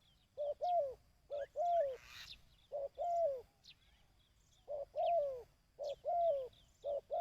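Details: ['Dove giving a quick run of coos, used for decoy-bird training. Pairs of notes, a short one then a longer arched one, repeat about every second and a half, six phrases in all, over faint background chirps.']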